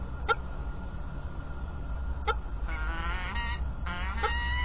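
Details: Peregrine falcons at Illkirch-Graffenstaden, 3 February 2018, give two harsh, quavering harmonic wails, each under a second long. Isolated loud ticks sound between them over a low rumble.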